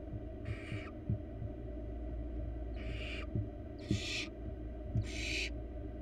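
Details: Barn owl nestling, wild, nest box: four breathy hissing bursts spaced about a second apart, with soft low knocks and thumps and constant hum behind.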